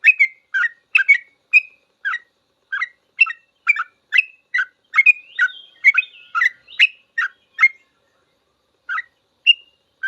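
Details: Sooty-headed bulbul delivering long 'full ropel' song as a master for cage birds: rapid chattering, whistled phrases for about eight seconds, then a pause and a few scattered notes.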